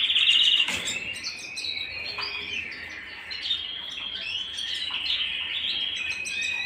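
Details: A canary at home opens with a loud, bright trill, then runs through a lively mix of rolling phrases and chirps at a steady, energetic pace.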